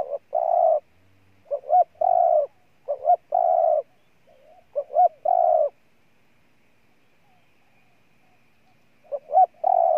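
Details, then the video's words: Spotted dove of Ninh Thuận, Vietnam, delivering four phrases, each a pair of short upturned notes leading into a long, even coo, followed by a quiet pause before the final phrase. "Cu Gáy Ninh Thuận"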